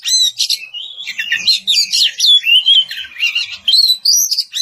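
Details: Loud ngeplong song of an Oriental magpie-robin challenging an opponent: a rich, varied stream of rising and falling whistles mixed with rapid scratchy trills, almost without pause.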